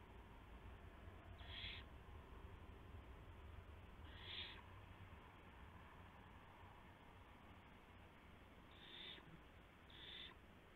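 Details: Owl at night, 2:51 AM, April 2, 2016, arriving with a gopher for its mate on a live camera: four brief raspy hissing bursts spread irregularly over about ten seconds, over a constant low rumble.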